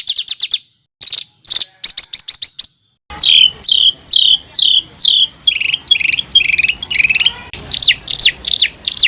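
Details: Harsh tight rolls meant for training fighter songbirds: quick bursts of rapid notes, then loud downward-slurred notes repeated about twice a second, growing harsher and buzzier toward the end.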